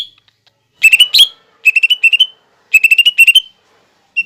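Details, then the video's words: Lesser green leafbird singing a training recording that includes copied fighting-sparrow, lovebird and hummingbird calls: three rapid clusters of sharp, high, sparrow-like chirps, each run ending in a short rising whistle. "MASTERAN CUCAK IJO GACOR BONGKAR ISIAN GEREJA TARUNG,LOVEBIRD,KOLIBRI"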